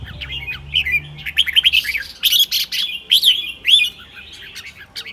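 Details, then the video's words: Red-whiskered bulbul kept in a cage, singing in the morning in a rapid, continuous style: lively, looping whistled phrases with slurred up-and-down notes, repeated in quick clusters, against a faint low hum at the start. "เบิ้ลร้องริก ยามเช้า"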